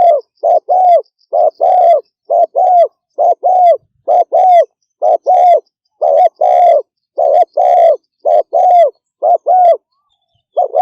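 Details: Spotted dove giving fast 'thúc gù' cooing: low, mellow paired coos, a short note followed by a longer drawn-out one, repeated rapidly about once a second with brief pauses, in a quiet setting with no other sounds.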